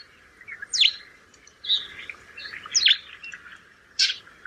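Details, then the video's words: In rainy weather, a sparrow gives four or five scattered sharp chirps and short twittering notes over a steady low hiss of background noise. "Beautiful Goriya(Sparrow) calling sound collection"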